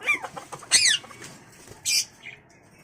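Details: A pet imported Indian ringneck parrot gives a few harsh, high squawks: a short chattering call, then a loud rasping screech and a sharp final shriek, all within three seconds.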